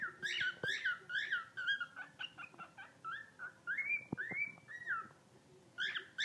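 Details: Pet bird, newly rescued, giving squealing guinea pig-like calls: dense bursts of bright chirps, then a string of short whistles and two longer arched whistled notes, with a few clicks between.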